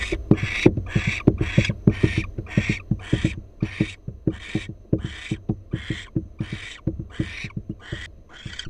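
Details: Barn owl in a nest box, doing a little dance: a series of breathy hissing screeches about every 0.6 seconds, under sharp low knocks and taps from feet.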